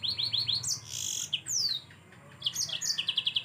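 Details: Yellow-fronted canary singing gacor, used as tutor song: a fast run of rising chirps, buzzy high notes and a long falling whistle, a brief lull, then another quick series of bright repeated notes.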